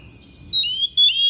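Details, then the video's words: Thick-billed Oriental magpie-robin giving two loud, piercing, sustained whistled notes, each about a third of a second, high and slightly wavering, over a faint low background rumble. "KACER PARUH TEBAL SUARA PERIH NGOTOT BONGKAR ISIAN"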